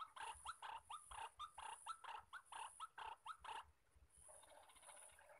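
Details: Wild male white-breasted waterhen calling while birds are lured with a decoy: loud, upswept croaking notes repeated about twice per second for nearly four seconds, then only a distant chorus and a high insect whine.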